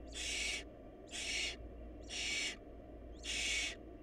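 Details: Barn owl nestlings facing a food shortage, uttering four drawn-out wheezy hisses, each about half a second long, about one second apart, against a low steady hum.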